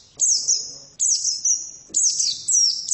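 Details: Female white-eye singing: high thin phrases of descending slurred whistles, each opening with a sharp upstroke, delivered in bursts about once a second with brief pauses.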